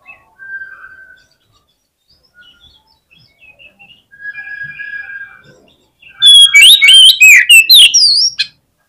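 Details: Oriental magpie-robin fighting song, meant to rouse and provoke rival magpie-robins. Soft scattered whistles and thin notes come first, then a loud two-second burst of rapid, sweeping, high whistles and sharp chips.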